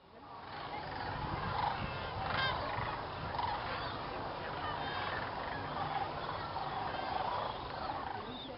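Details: At dusk, huge numbers of sandhill cranes gather in a field at Jasper-Pulaski preserve in Indiana before flying to their swamp roost. Overlapping rolling, bugling calls rise and fall steadily throughout.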